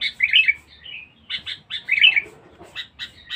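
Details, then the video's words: Sooty-headed bulbul, a lively, fierce bird used for luring, gives bright chirped notes and short bubbly warbled phrases in quick uneven bursts, roughly every second or two, with a soft flutter of wings in places. "pikat kutilang bagus"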